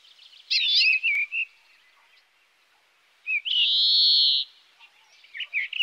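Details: Song of a European greenfinch: a quick twittered trill, a pause, then a long nasal wheeze held for about a second, with a few twitters resuming at the end.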